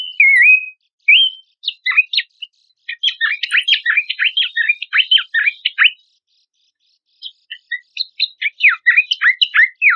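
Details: Horsfield's babbler master recording for contest birds: a wavering whistle and a rising note, then a long jumble of sharp downslurred chips and squeaks, a pause, and more varied chattering notes.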